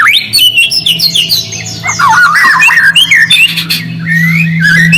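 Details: Shama song played to provoke silent birds into answering: a torrent of bright, twisting whistled notes and squeaky trills with scratchy chatter, constant low drone in the background.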